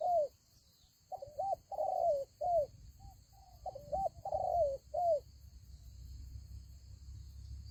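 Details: Decoy spotted dove in a Vietnamese fighting trap coos two phrases in quick succession: clipped rising notes followed by a drawn-out, downward-sliding coo, over a faint continuous high-pitched hum.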